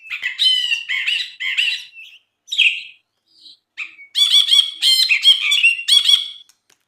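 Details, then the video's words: Brinji bulbul singing vigorously on a tutor recording for training songbirds: bright, rich, rapid chattering phrases in dense bursts. Short pauses and softer single notes mid-way, then loud, fast, repeated ringing trills. "MASTERAN BRINJI GACOR"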